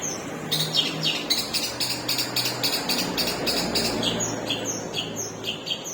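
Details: Long-tailed shrike with a split beak, performing long singing bursts: fast buzzy high notes repeated several times per second, with a few thin whistles, over steady background hiss.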